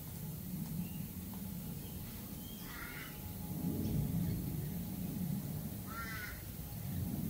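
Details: A galah in Australia gives two short, harsh screeching calls a few seconds apart, heard against loud, steady low rumbling background noise.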